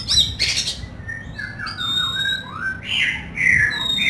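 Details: Oriental magpie-robin song with rough fill-in notes: a harsh scratchy burst followed by drawn-out gliding whistles, one long thin high note, then loud slurred whistles rising and falling.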